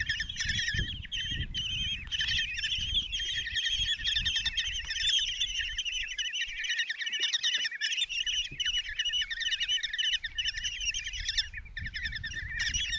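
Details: Common kestrel chicks, five young in a nest box in Tiszalök, Hungary, on June 27, 2024, as the mother brings a mouse for breakfast; dense overlapping trilled, wavering chirps pour out continuously, with low rumbling in the box.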